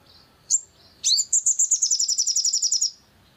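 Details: Long-tailed shrike, used as a lure to provoke singing: a sharp upward note, then a fast, even series of about fifteen high, clipped notes over roughly two seconds, with a quiet background.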